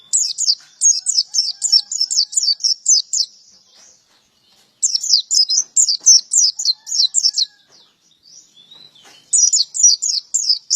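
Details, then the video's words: Energetic male white-eye singing in three bursts of fast, high, sharp chirps repeated several times per second, separated by short pauses of silence. "Burung pleci gacor jantan"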